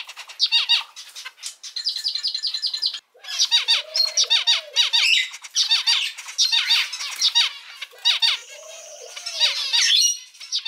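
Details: Captive male zebra finch repeats a patterned phrase of quick nasal, stacked notes several times, with a brief silence after three seconds and a soft low rising-falling tone underneath twice.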